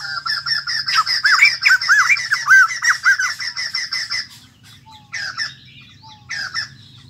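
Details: Cage-kept white-crested laughingthrush, freshly caught from the wild, pouring out a fast run of looping whistled notes for about four seconds, then scattered softer calls fading against a low hum.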